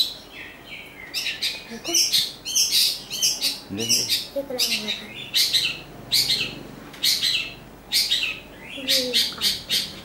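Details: Greater green leafbird giving loud, harsh, scratchy chattering bursts, high and broad, in quick clusters separated by short pauses, with a few soft lower chirps between them.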